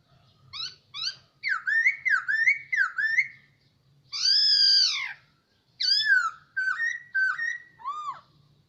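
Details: Hwamei held in a cage for a year gives a rich whistled song: repeated upslurred notes, a long loud arched whistle in the middle, then quick varied falling phrases, over a faint low indoor hum.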